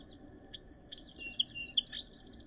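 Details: Song sparrow singing during the last snowy days of April 2023 in Northern Ontario: a jumble of varied high chips and buzzy notes, ending in a fast, even trill of about eight bright repeated notes.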